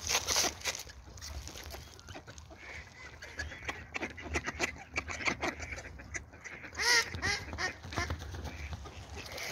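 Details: Morning ducks calling together: scattered nasal quacks and chatter throughout, with a louder cluster of clear, arched, harmonic quacks near the seventh second, over a steady low hum.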